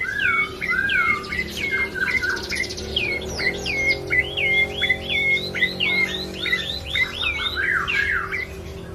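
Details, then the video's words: Caged bar-winged prinia, a lively singer, giving rapid repeated chirps that drop and flick upward, about 80 per minute, with a low steady hum underneath. "Burung Prenjak Coki Gacor"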